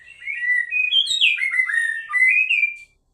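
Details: White-rumped shama singing a rich, continuous run of clear whistled phrases that slide up and down, mostly mid to high pitched, ending in a short pause; no other sounds.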